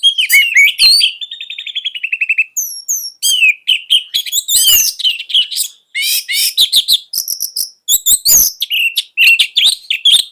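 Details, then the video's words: Orange-headed thrush kept as a cage bird, offered as a tutor song for young birds, pouring out a dense, continuous medley of chattering trills, sharp whistles and buzzy notes with barely a break. "KICAUAN SANGAR ANIS MERAH COCOK UNTUK MASTERAN"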